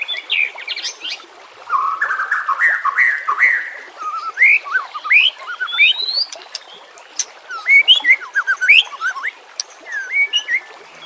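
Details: White-rumped shama song serving as a lure and training sound, with natural ambience and water: buzzy, rattling phrases at first, followed by varied rising whistles, twittering clusters and sharp upslurs with scattered pauses.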